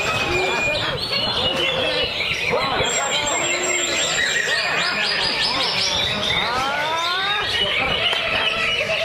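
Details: Greater green leafbird kept in a lovebird cage, singing continuously with varied fill-in phrases (ngentrok full isian) and tight trilling bursts; a dense stream of whistled, warbled and chirping notes fills the whole stretch with no pause.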